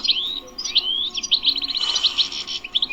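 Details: ["Wild European goldfinch singing in a 'btbta' song style: quick, bright twittering with sweeping whistled slurs and rapid buzzy chatter in the upper range, delivered in a continuous run."]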